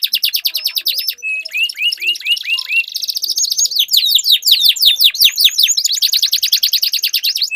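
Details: Canaries in a singing duel, caged birds kept for song training; dense rapid trills and rolling phrases, a run of upslurred whistled notes near the start, then fast overlapping chattering trills and sweeping notes throughout.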